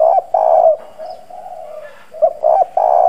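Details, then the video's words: Spotted dove, a hoarse-voiced decoy cooing to attract wild doves: loud husky coos linked by a soft, drawn-out gurgling coo, then a clipped note and two more strong coos. "Cu gáy mồi Cứng Gù giọng đồng khàn kích bổi nhanh nổi. Chim cu gáy thúc gù gáy gọi kích bổi"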